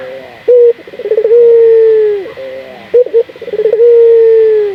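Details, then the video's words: Domestic local puter dove used as a lure so other doves start calling: two drawn-out cooing phrases, each opening with a quick rolling stutter of short notes, then a long level coo that slowly falls at the end. "Pancingan burung puter gacor, melatih burung puter lokal agar cepat gacor"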